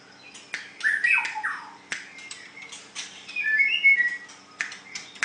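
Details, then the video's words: White-rumped shama singing in a contest, scratchy harsh notes and squawks mixed with short whistled phrases, sharp clicks punctuating the song, a steady low hum underneath. "Cara Mengadu kekuatan Ocehan Burung Murai batu white rumped shama"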